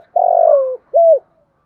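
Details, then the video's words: A spotted dove gives a low, hollow coo, a longer hoarse note sliding slightly down and then a short rounded second coo, with no other sounds; presented as calling and cooing to stimulate captive doves. "Tiếng Cu Gáy Giọng Hạp BổI [ GÁY GỌI,THÚC,GÙ ]"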